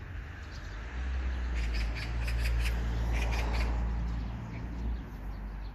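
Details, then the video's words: Magpie giving a run of harsh, rattling notes in loose clusters over about two seconds, fairly faint against a strong low rumble like traffic. "까치~ The magpie's calling!"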